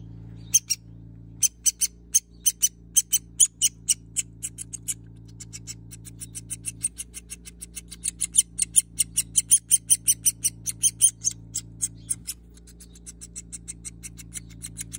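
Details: An orphaned, underweight ladder-backed woodpecker nestling, still downy and unable to fly, is being hand-raised at a wildlife rehabilitation centre in Tucson. It gives high, raspy, ticking notes in a fast steady series, three to four a second, over a low mechanical hum.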